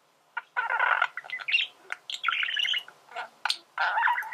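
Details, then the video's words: Male budgerigar in song: rasping buzzy bursts alternate with short squeaky chirps and a clicking note, uneven phrases lasting under a second each, delivered in a continuous chattering flow. "فيديو ممتع لتغريد ذكر بادجي"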